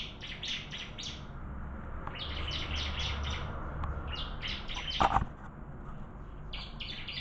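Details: Bar-winged prinia contest song: several quick runs of high, clipped chirps broken by pauses, with a sharp knock or clatter near the middle and low background rumble.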